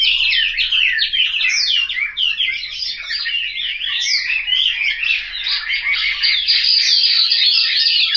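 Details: Caged Chinese hwamei kept at home in Hanoi, singing a continuous, rich stream of varied whistled and warbled phrases with rapid slurred notes, loud and unbroken throughout.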